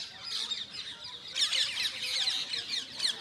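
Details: A short burst of parrot calls, harsh high chirps running together into a continuous squawking chatter that grows louder halfway through.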